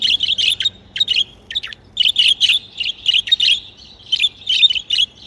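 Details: Happy budgerigars kept as pets give loud, continuous warbling chatter, dense runs of high chirps and buzzy notes with only brief pauses, over a low hum.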